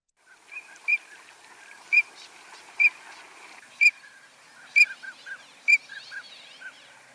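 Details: Green-winged Teal in a marsh giving loud, clear, high whistled peeps, a call that carries at a distance, about once a second, with softer lower notes in between.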